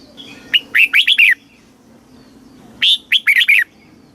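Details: Caged Thai red-whiskered bulbul delivering southern master-style song for stimulating and tutoring birds: two lively phrases of five to six clear whistled notes, each under a second, separated by about two seconds of quiet.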